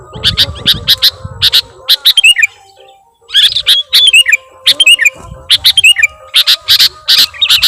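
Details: Sooty-headed bulbul lure recording for attracting wild bulbuls: dense bursts of sharp, high chirps repeated rapidly, mixed with liquid bubbly notes, a short pause near the middle, then more chirping.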